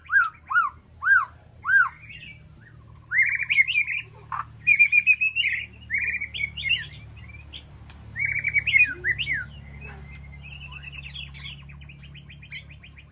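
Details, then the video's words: White-rumped shama in an aviary sanctuary, calling to its flock: three clear arched whistles, then a long varied series of rich warbled and slurred whistles in bursts, over a steady low hum. "Sound of White-rumped Shama Call to Flock"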